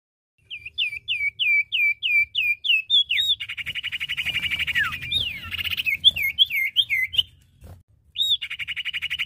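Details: Male and female iora singing energetically, used to lure and provoke other birds: a series of rising whistled slurs about twice a second, then a fast buzzy trill, more whistled notes and a closing trill.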